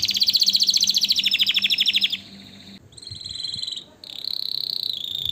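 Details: Canary in song, used to prompt mating and to train young birds: a loud, rapid chattering trill for two seconds, then softer sustained high whistled notes broken by short pauses.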